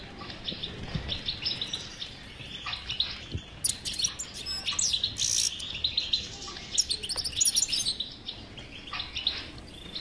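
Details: European goldfinch batbata song, played to stimulate a silent goldfinch to sing: dense, overlapping high twittering chirps and buzzy trills throughout, louder bursts from the middle onward.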